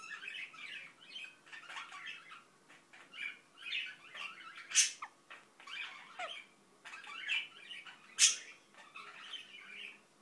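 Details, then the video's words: Indian ringneck parakeet mumbling: a steady run of soft, chattering, garbled syllables in quick uneven bursts, broken twice by sharp, loud squeaks. "İndian Ringneck Börek mumbling"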